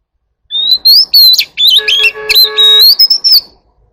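Oriental magpie-robin singing a loud, varied run of clear whistles, slurred upward notes and a brief harsh, buzzy phrase, lasting about three seconds.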